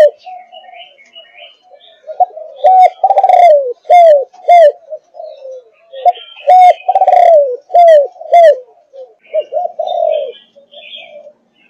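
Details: Young Malaysian-line spotted dove, 5.5 months old, repeats its thúc gù phrase three times: low soft lead-in notes, a long falling coo and a pair of crisp hooked coos, with faint chirps in between.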